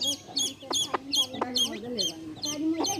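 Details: Mother hen clucking in low, wavering, drawn-out notes while her baby chicks keep up rapid, high-pitched descending peeps above.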